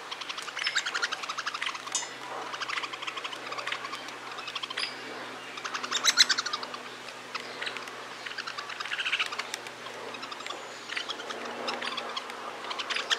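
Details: A father Hairy Woodpecker and fledgling during feeding in Toronto give a steady stream of short, sharp, high chips and chatters bunched in quick bursts, with faint background noise.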